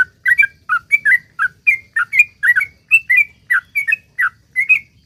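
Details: Lively sooty-headed bulbul song in a long rapid run, played to prompt other bulbuls to sing: a steady stream of short liquid, whistled notes, rising and falling, delivered several per second without a break.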